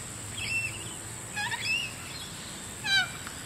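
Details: Wild flock of Little Corellas visiting Moorooka, Australia: three separate harmonic, slightly wavering calls spaced about a second apart, each short and bright, over a steady low hum and faint high electrical whine.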